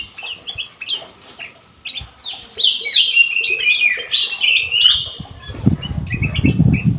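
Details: Captive golden bulbul in an aviary, quiet chirps building into a loud rush of tumbling whistled and chattering phrases, ending with scattered notes over a rough low rumbling noise.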